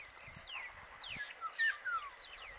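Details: Paddyfield pipit recorded in Rajasthan, India, giving a series of quick downslurred notes, some thin and high, several in succession, with a constant faint tone and soft low noise underneath.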